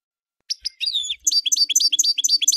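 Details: Short burst of European goldfinch song: a few separate chirps, a buzzy slurred note, then a brisk series of bright twittering notes.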